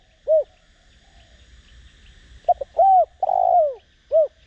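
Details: Decoy spotted dove (cu gáy) with Đồng Rặc voice, calling to make other doves coo quickly. A lone short coo, a pause of two seconds, then quick notes, an arched coo, a long buzzy falling coo and a final short coo.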